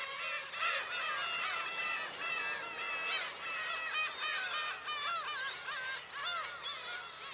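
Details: Black-tailed gulls at a shrine on Friday, July 10, heard more faintly: looping, bending mewing calls from many birds, with a low steady hum underneath.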